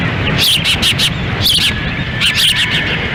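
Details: At an osprey nest in Lolo, Montana, on windy June 10, 2017, the female feeds chicks as the male stands by; two brief runs of high, wavering whistled chirps are heard over loud, steady wind.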